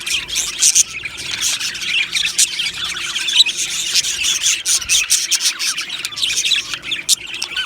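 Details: Aviary colony of Australian budgies: crowded, scratchy chirping and squawks, sharp clicks and buzzy notes packed closely over a constant twittering background.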